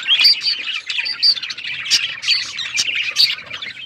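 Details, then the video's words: A male budgie sings its mating sound, bright chirping warble with repeated short high whistles and quick tweets over a steady twitter. "Budgie male singing budgies mating sound"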